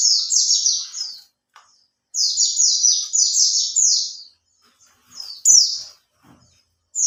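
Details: Caged Oriental white-eye, three months in care, singing as a lure: long strings of fast, high, downward-slurred notes, a short sharp phrase, then quiet gaps with faint clicks.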